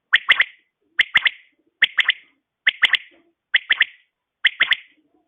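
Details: Female quail in the morning giving a clear three-note call, sharp and quickly clipped, repeated about every 0.9 seconds, six rounds in a row, against a quiet background.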